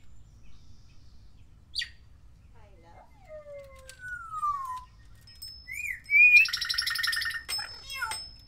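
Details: Timneh African Grey parrot learning to talk and mimic sounds: a sharp downward flick, slurred descending whistles, a rising whistled note, then a loud buzzy, harsh burst ending in clicks, in a quiet room.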